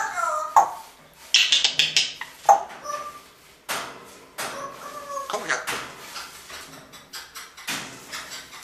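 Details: Two pet grey parrots in a morning exchange, one with a baby-like voice often chiming in from the background; short speech-like harmonic utterances and squawks come in bursts separated by brief pauses, recorded indoors.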